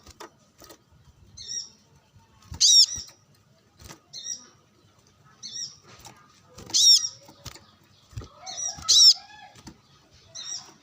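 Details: Brown-throated sunbird sunbathing and calling out to rivals among wild birds, giving high sharp chipping notes and brief twittering phrases spaced a few seconds apart, with soft faint background sounds.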